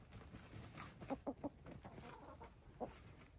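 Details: Grey, lavender, blue and black hens dust bathing; three quick soft clucks in a row amid dirt scratching, followed a second later by a single lone cluck.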